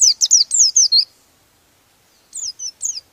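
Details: Brief rolling song from an oriental white-eye aimed at rival birds: a one-second flurry of loud, high, falling chirps, a silent gap, then three softer high notes.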